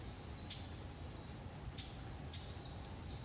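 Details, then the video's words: Japanese bush warbler giving its call notes on 20 November 2016, bird unseen: dry, high, clicking 'chat' notes spaced irregularly about a second apart, over a low steady rumble. "ウグイス(Japanese bush warbler)の鳴き声（地鳴き）"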